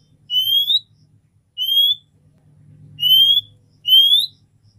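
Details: Oriental magpie-robin female calling for a male to stir his breeding drive: four clear, rising whistles, each about half a second long, spaced one to one and a half seconds apart, with a faint low hum beneath.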